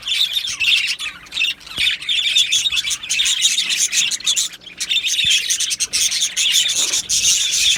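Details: Australian budgerigars in an aviary colony, recorded 12 July 2025: dense, continuous high chirping and warbling chatter from many birds at once, with brief dips in loudness and a few sharp clicks.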